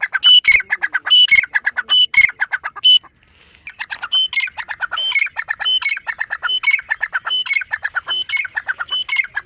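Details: Harsh repeated calls of a grey francolin: clattering notes rising into a strident ringing squawk, phrases following each other closely, one short silence near three seconds, then the series resumes.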